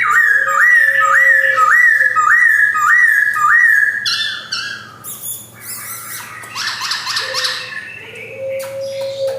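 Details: Male Poksay Hongkong, the black-throated laughingthrush, white-cheeked and caged in Jogjakarta in 2021. Steady looping whistled phrases repeat about every half second, followed by scattered harsher notes and a low sustained tone.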